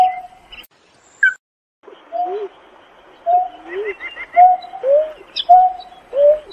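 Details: Painted-snipe calling its flock with soft, hollow hooting notes, each a level tone followed by a lower swooping one, repeated about once a second with a few faint chirps.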